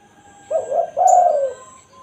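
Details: Spotted dove in the 'kuk satu' style, used to lure and call wild doves: a soft, low two-part coo, a short hooted note then a longer rolling coo that fades away. A faint high steady whine and a brief sharp chirp sit behind it.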